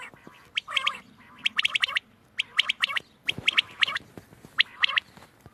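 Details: Quail calling, recorded 31 March 2024: short sharp notes in clusters of two to four, bursts repeating about once a second with brief quiet gaps between.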